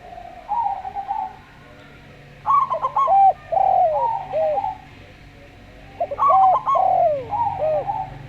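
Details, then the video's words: Slow-voiced local zebra dove, heard together with a calm Javan derkuku, singing to lure other doves: clusters of quick, bouncing, staccato coo notes run into softer, level cooing, repeated in two bouts with a quiet pause between. "Perkutut Lokal Suara Slow"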